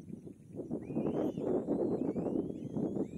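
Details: Young kite being fed by its mother, struggling to swallow its meal: thin whistled calls rising in pitch, several in quick succession, over a steady low rustling and scraping background.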